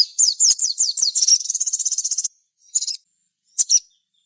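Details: Crimson sunbird song used to bring other birds into song: a run of quick descending whistled slurs merging into a fast, even, buzzy high trill, then two brief chirps.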